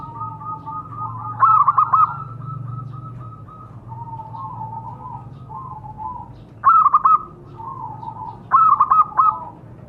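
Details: Lure recording of local zebra doves meant to set captive birds calling: three sharp bursts of quick, clipped coo notes spaced several seconds apart, with a constant murmur of other doves cooing softly behind.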